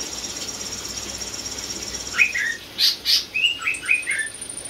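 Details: Greater green leafbird, a caged prize-winning champion singing lots of 'isian' filler phrases: a few sliding high chirps, then louder bursts and a quick run of four or five short, bright, slurred notes near the end.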